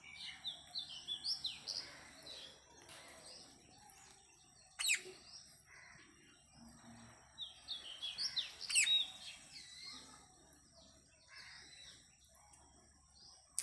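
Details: Parrot calls: many high, rapid chirping and whistled notes with frequent upward and downward sweeps, coming in bursts with two loud sharp shrieks near the middle; steady high-pitched insect-like hiss and faint low rumble in the background.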